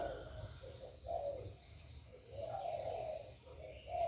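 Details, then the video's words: Spotted dove cooing to stimulate other doves, recorded directly without background noise; low soft coos in short phrases, some notes drawn out and pulsing, with a steady low hum underneath. "Cu Gáy Gáy Gọi + Thúc + Gù bài bản kích bổi hiệu quả, Tiếng chim cu gáy, cu đất gáy, cu cườm gáy gù"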